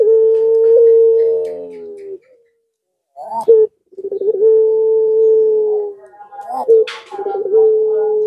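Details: Puter pelung Barbary dove used as a lure to make lazy doves answer: a long, steady, drawn-out hooting coo held about two seconds, then short rolling notes and further sustained coos after a brief pause.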